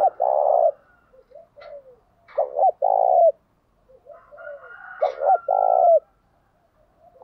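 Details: Low, mellow coo phrases from a spotted dove meant to provoke other doves: stuttered short notes leading into a longer held coo, repeated about every two to three seconds, with quieter coos and a thin whistle nearby.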